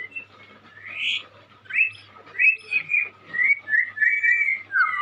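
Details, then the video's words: Young white-rumped shama singing in full, lively voice; a run of clear whistled phrases, some rising and others sliding down, growing louder and more continuous after the first two seconds against a faint low hum. "Burung Murai muda gacor calon juara"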